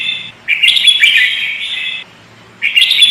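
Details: Sooty-headed bulbul, a lively lure recording: two dense, buzzy chattering bursts, each about a second and a half long, separated by a short silence.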